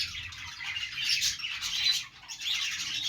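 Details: Happy morning chatter of budgies kept as pets, Australian parakeets: a busy overlapping stream of high chirps and scratchy warbles, with a short lull near the two-second mark.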